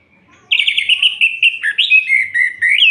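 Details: Orange-headed thrush singing at night, kept as a cage bird, a continuous loud warbled phrase of quick looping whistles sliding up and down, ending on a rising note.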